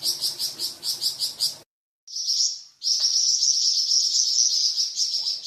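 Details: Flamboyan bird, a kept songbird whose varied song trains cucak ijo and magpie robin: quick high chirp series, a pause, a short rising note, then a long steady high trill.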